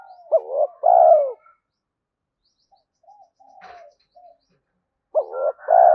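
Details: Spotted dove cooing to excite other doves: a rising note, a short phrase and a drawn-out falling coo, then a pause of soft distant cooing before the phrase starts again.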